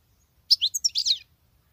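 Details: Female European goldfinch singing like a male: a single compact phrase of five or six quick liquid notes with a buzzy finish.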